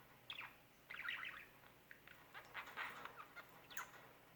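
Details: Pet bird, isolated for more than a year and now meeting a new bird, chattering in quick high chirps and raspy twitters, several bursts in close succession.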